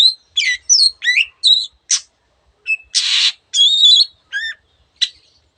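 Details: Long-tailed shrike singing slowly spaced varied phrases: wavering whistled slurs, a long harsh grating rasp near the middle, then thin stacked whistles, with clear silences between notes.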